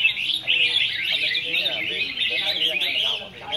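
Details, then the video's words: Several red-whiskered bulbuls in a singing competition pour out a continuous, chattering warble of quick bright notes, with faint human talk beneath. "chao mao hot hay"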